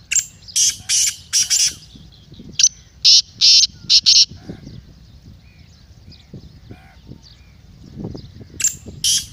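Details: Black francolin (kala teetar), a voice meant to get a kept francolin calling and ready for chakri: loud, harsh, grating bursts in a quick phrase of three, then four, then two more, with quiet gaps between phrases.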